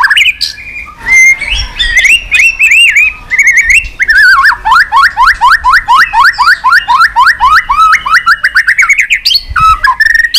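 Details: White-rumped shama, tach calls used to spur weak birds: short whistles, then a long fast series of repeated downslurred notes, about four a second, ending in brief whistles.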